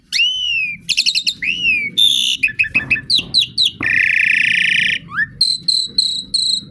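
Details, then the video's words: Asian pied starling singing a song said to call for rain, in Indonesia: a varied run of clear rising and falling whistles, rapid stuttered notes and long harsh buzzy bursts, with a faint low murmur underneath. "Nyanyian memanggil Hujan"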